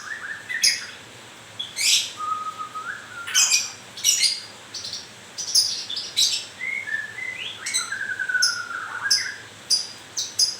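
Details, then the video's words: White-rumped shama in moult producing grewek sounds: irregular harsh chattering bursts with low whistled glides and a flat held whistle, delivered fairly continuously. "Kicau mania.. murai baru rontok bulu..."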